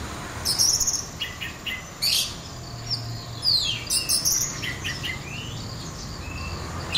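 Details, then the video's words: Orange-headed thrush, a singing bird kept for song training, giving short bright high chirps and twittered phrases in bursts around the first, second and fourth seconds, with thin fast notes over a steady low hum. "Dengarkan suara ini, anis merah bahan, macet, trotol auto respon"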